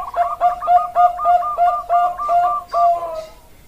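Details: Zebra dove of the Bangkok line (perkutut Bangkok), Indonesia, 16 October 2023, giving a steady string of about eleven rolling, mellow coo notes in under four seconds, each with a brief higher flick, then trailing off.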